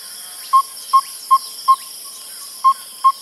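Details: Yellow-rumped Tinkerbird calling in short bursts rather than a monotonous series: a group of four pure, hollow 'pop' notes about 0.4 s apart, a pause, then two more. Faint high hiss and chirps in the background.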